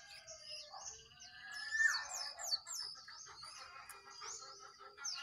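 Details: Sooty-headed bulbuls, one wild and two caged, singing competitively: a run of sharp downslurred whistles repeated in quick sequence over softer overlapping chatter.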